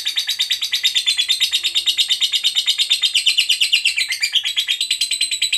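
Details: Lovebird fighter giving the prized long ngekek, a lure meant to make other lovebirds answer: an unbroken, rapid pulsed chatter of high buzzy notes running steadily for over five seconds, loud and even.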